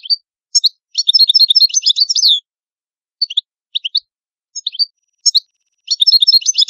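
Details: Italian European goldfinch, likely caged, singing bursts of rapid, high tinkling, twittering notes interspersed with short chirps and pauses, a long jumbled phrase at the start and another at the end; clean recording without background noise.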